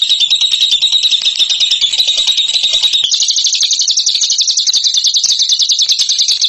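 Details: Bird in ngekek style giving a rapid, piercing trill that jumps higher after three seconds and carries on as a fast pulsing rattle without a break.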